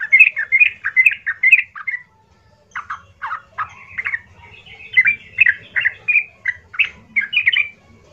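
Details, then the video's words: Harsh, loud yellow-vented bulbul song used to provoke other bulbuls: rapid bubbly chirps, a short gap, then evenly spaced gurgling notes repeated roughly every third of a second. "hati - hati trucukmu langsung Nyaut penuh emosional mendengar pancingan trucukan gacor kasar ini"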